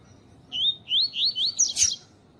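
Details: Female double-collared seedeater calling to excite males, kept as a cage bird: four or five whistled upslurred notes in quick succession, ending in a brief harsh burst.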